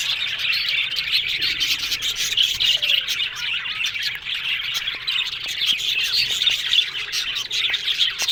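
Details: Aviary full of budgies producing a constant warbling babble, dense chirps and scratchy calls from many birds, with a few light knocks in the background.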